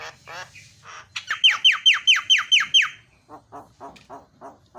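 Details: Javan myna (jalak kebo) song aimed at stirring other mynas to sing: a few rough notes, then seven loud, evenly spaced descending whistles, followed by a run of softer, lower nasal chucks.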